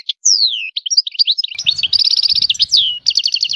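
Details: Singing European goldfinch, song with high phrases: opens with a long falling whistle, then fast twittering notes and rapid rattling trills, with a faint low rumble in the background.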